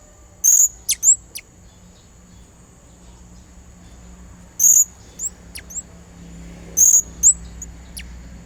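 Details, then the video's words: Blue-crowned hanging parrot luring and calling a rival: loud, piercing high chirps in three groups, each followed by one or two fainter, quicker notes, with quiet gaps between. "serindid gacor suara pikatan memanggil lawan"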